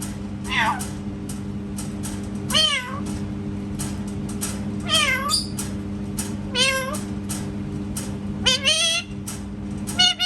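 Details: Parrot making cat sounds indoors: five drawn-out meows, each bending down then up in pitch, spaced roughly two seconds apart, with faint clicks between them and low room hum.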